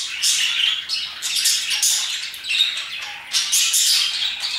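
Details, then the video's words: Continuous chattering of parakeets around 2pm, many shrill scratchy notes overlapping into a steady, busy chorus with frequent loud peaks. "Parakeets chirping and singing their hearts out"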